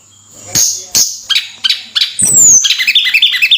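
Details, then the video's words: Javan sunbird song from a caged bird kept by Indonesian songbird hobbyists: a few sharp high chips, a long thin falling whistle, then a quick chattering run of high notes. "Suara Burung Tledekan Gacor"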